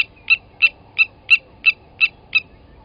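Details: Sharp, hard 'tink' notes repeated evenly about every third of a second from a blacksmith lapwing at a South African waterhole in Sabi Sand, morning of 29 August 2020, when one adult seized and killed a chick at the nest.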